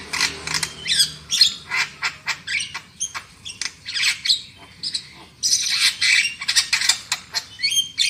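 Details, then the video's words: Lure recording of black-winged myna song for making birds sing loudly: continuous run of sharp clipped chatters and harsh squawks, rising to a dense burst near the end. "SUARA PANCINGAN JALAK KEBO AGAR CEPAT NGOCEH KERAS"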